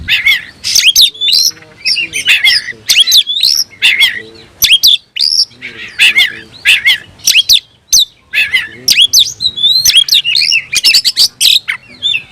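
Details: Oriental magpie-robin singing hard with open tail to provoke a rival: repeated bursts of upslurred whistles and rasping clicks in short phrases, brief gaps between.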